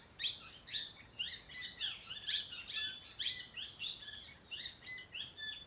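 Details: A sunbird in Dehradun, Uttarakhand, gives high, thin chirps and twittering notes, about two per second, in a quick irregular series with faint background hiss.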